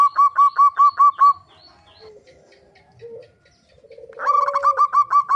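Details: Zebra dove (perkutut) cooing used as a lure to make birds sing often: a clean run of loud, evenly spaced ringing coo notes, a near-silent pause with faint soft sounds, then the rhythmic series starts again.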